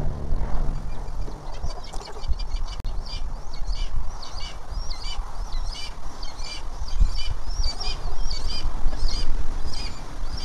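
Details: At a Tennessee nest of a leucistic red-tailed hawk with a newly hatched chick, spring 2023, thin, high chirps repeat about twice a second over a steady low rumble of wind or distant traffic.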